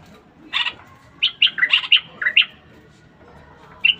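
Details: Caged common bulbul singing to stimulate the female to mate: a short burst of loud, rich warbled notes, bright and slurred, in a quick run of about eight phrases, then a pause and one more note.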